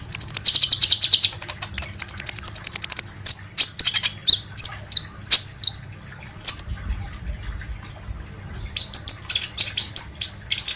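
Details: Lure recording of a kolibri ninja sunbird meant to make birds sing: opening with a long, very high rattling trill, followed by scattered shrill chips and a closing run of quick notes.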